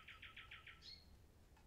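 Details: Common nightingale song: a brief phrase of five rapid buzzy notes followed by a higher whistled slur, faint against a quiet rural background.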